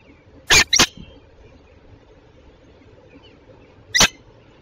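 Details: Belgian female peregrine falcon at Tilburg Westpoint, morning of 27 June 2024; a rasping double call, then after a three-second pause one more harsh screech, over steady low background noise.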